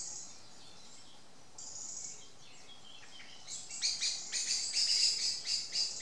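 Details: Common Blackbird angrily scolding a pair of juvenile Tawny owls that ignore it. After faint, hissy sounds early on, rapid series of sharp, metallic chinking notes build up and grow louder toward the end.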